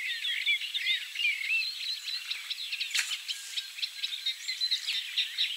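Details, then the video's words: Eurasian reed warbler singing low in reeds, a continuous chattering stream of scratchy, jerky notes with short whistled elements, mostly high-pitched; a Savi's warbler reels in the background. "Eurasian reed warbler / Trzcinniczek"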